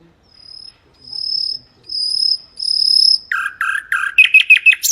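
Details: Mangrove whistler singing: four long, pure, steady whistles rising slightly in pitch, then a rapid run of varied chirps and upslurred notes ending on a sharp high rising whistle; quiet background.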